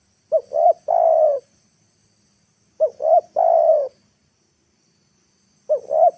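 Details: Decoy spotted dove calling in the afternoon to lure wild doves down to the ground: two full cooing phrases, each two short rising hooted notes then a longer, lower, drawn-out coo, with a third phrase starting at the end.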